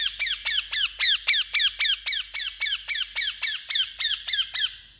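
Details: Indian ringneck parakeet delivering a continuous five-second string of about twenty loud, raspy squawks, each dropping in pitch, at a fast steady pace.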